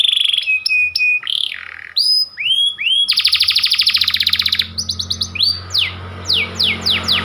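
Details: White panda-type canary in loud, varied song: clear whistled notes and upswept phrases, a long fast buzzy rattling trill, then quick rising sweeps repeated in series, with a faint low hum beneath.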